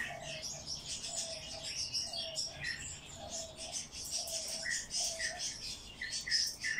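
A hand-fed chick begs with a dense stream of high, scratchy chirps, under soft low cooing notes repeated about every two-thirds of a second.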